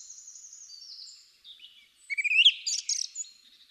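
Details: A male Song Thrush, an early singer, sings in spring, repeating each phrase several times: faint fluty notes, then a louder run of quick repeated chirps and shrill whistles.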